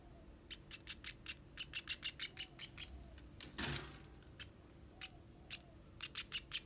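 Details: Baby sparrows begging while being fed, giving bursts of short, high chirps in quick runs, broken by a brief broadband rustle midway and a pause before more chirping.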